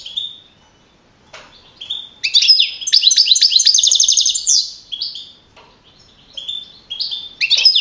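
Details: European goldfinch contest bird, a young male that took first place at Navalcarnero, Madrid region, 15 April 2012. After a few sparse chirps comes a rapid, rolling twittered trill, followed by further bright single notes.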